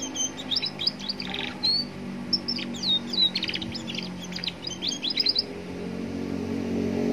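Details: Young Atlantic canary singing in a roadside setting as a lure for other canaries; quick trills and thin rising and falling whistles in a dense burst, then traffic rumble grows louder as the song stops.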